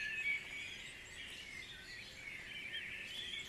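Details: Dawn chorus at Guisborough: many distant birds singing at once, a continuous dense wash of high twittering and thin whistles with no single voice standing out, over a steady soft background hiss.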